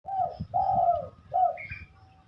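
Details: Spotted dove cooing: three soft, low hollow coos, the middle one longest, followed by a brief higher chirp from another bird, with faint low tapping beneath.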